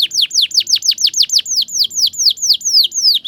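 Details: Ngriwik-style canary tutor song for young canaries, a rapid steady train of loud descending whistled sweeps, about five each second, with nothing else audible.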